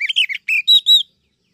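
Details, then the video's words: Female Oriental magpie-robin calling to lure and excite males for trapping: quick chattering chirps at first, then three clear, ringing whistled notes a moment apart. Nothing else is heard after them. "Chòe than mái mới nhất 2023 kích trống dụ bổi nhanh ra giọng"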